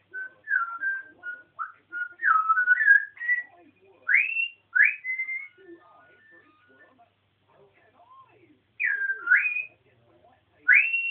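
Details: Pet African grey parrot indoors, mid-rant, giving a string of loud, clear whistles, many sharply rising or swooping, in bursts separated by short pauses, with faint murmured chatter between them.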